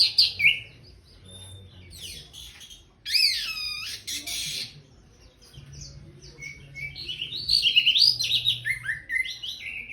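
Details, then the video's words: Orange-headed thrush singing after bathing: loud, varied high whistled phrases with sweeping slurred notes and rapid twittery runs, broken by short pauses and resuming in bursts, with a faint low hum underneath. "Kicau anis merah abis mandi"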